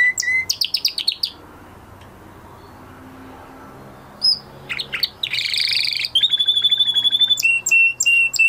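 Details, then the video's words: Canary singing after its moult, with short bursts of trilled phrases split by a pause of several seconds, then buzzy notes and steady high repeated whistles. "Canary Trying To Unlock His Full Singing Potential Part 2 - Canary Singing Video"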